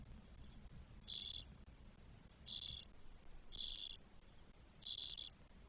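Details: Four 12-day-old Spotless Starling nestlings in a nest in Spain on 1 June 2022. Faint, short hissing rasps, high and even in pitch, come about every 1.3 seconds, four in all, over a low background rumble.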